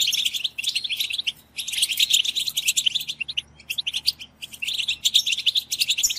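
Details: Chorus of European goldfinches in group twittering meant to stimulate goldfinches to sing; dense, bright, tinkling and buzzy twitter runs in bursts, with a near-silent break after half a second and another around three and a half seconds.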